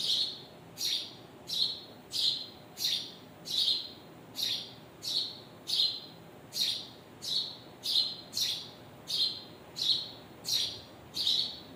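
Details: Birds with their babies chirping steadily: a long series of loud, shrill, identical chirps about every three quarters of a second, some sixteen in under twelve seconds, over a quiet steady hiss.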